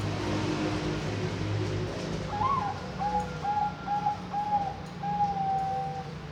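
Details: Captive-bred zebra dove from Kediri, East Java, Indonesia, hatched June 2024, singing a run of soft, level cooing notes, one opening note followed by five evenly spaced coos, against constant low hum and hiss.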